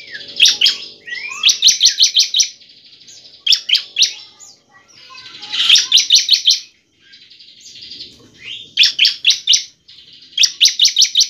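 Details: Bar-winged prinia (ciblek) song used as a lure to make other prinias sing: bursts of rapid, sharp repeated notes, five to seven per burst, alternating with thin rising whistles and buzzy trills.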